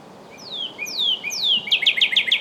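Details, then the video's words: Northern cardinal: three long whistles sweeping down from high to low. These give way to a quick, bright trill of rapid, loud repeated notes. Quiet background. "Sound of Northern Cardinal"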